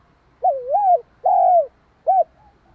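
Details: Provoking coo of a spotted dove aimed at another dove: a wavering two-part coo, a sustained falling coo, then a short closing note, soft and hollow with a quiet background.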